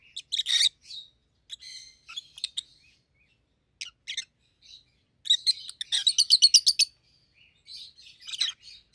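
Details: A pair of rosy-faced lovebirds, one yellow and one green, both red-headed, kept as pets. High, harsh chirps and squeaky notes come in irregular bursts, with a rapid run of sharp repeated shrieks near the middle.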